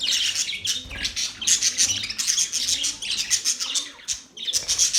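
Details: Budgerigars keep up a busy stream of high, scratchy chirps and warbled squawks, dense and unbroken, briefly dipping in volume just before the end.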